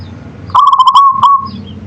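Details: Local zebra dove singing: a rapid staccato run of bubbly cooing notes flowing into a drawn-out level whistled tail, over a low steady background hum.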